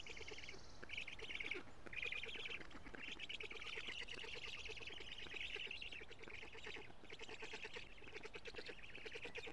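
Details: Black stork nest in Estonia's Karula area, live camera, 14 June 2017, 17:55, during feeding of big fish: wheezy rattling calls in long pulsed runs, separated by short pauses, steady throughout.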